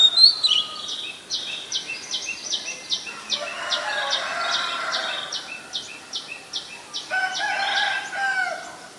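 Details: Oriental magpie-robin, a very common resident, recorded 7 January 2021 in Ubon Ratchathani, Thailand: a long run of about fifteen evenly spaced, high, sharp notes, with a rougher, lower murmur in the middle and toward the end.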